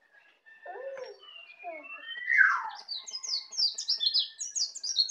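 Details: Young white-eye from Bali, a caged bird only beginning to learn ngeplong. A low burry note and a thin whistle build to a loud descending slur, then a fast run of high, sharp twittered notes.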